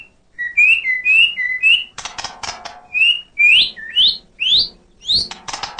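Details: White-rumped shama in full song, caged: loud clear whistled phrases that rise and repeat about twice a second, broken by harsh buzzy rasping bursts, then sweeping upward whistles, with no other sounds heard.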